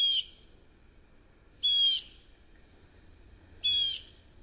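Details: Blue jay jeering at Stratford: three harsh, raspy, buzzy jeers, each about a quarter second long and roughly two seconds apart, with a brief faint high note between them over quiet background.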